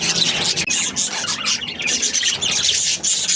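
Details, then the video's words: Lively budgie chirping, a thick layer of sharp high squeaks and chattering trills with a few clearer whistled notes. "Happy Budgie chirping sounds"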